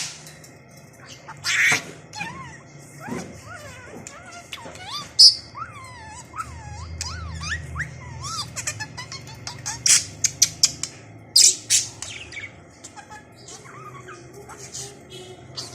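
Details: A home-raised pet budgerigar that has learned some words chatters in rapid, warbling phrases, mimicking words between sharp clicks and chirps.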